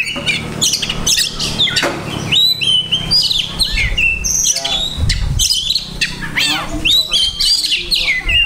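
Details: Oriental magpie-robin kept in a cage, delivering a busy mimicry-packed song of sharp chips, rising and falling whistles and scratchy notes, with faint background voices and a low hum.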